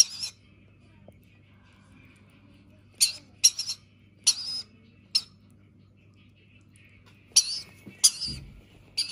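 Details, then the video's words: A Rainbow Lorikeet chick at feeding time gives harsh, rasping begging squawks in short irregular bursts, about eight in nine seconds, over a faint low hum. "Feeding time - Rainbow Lorikeet chick"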